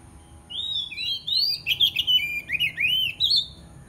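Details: Aggressive white-rumped shama challenging a rival, delivering a rich run of loud whistled phrases, slurred notes rising and falling rapidly with hardly a pause, against a constant low hum.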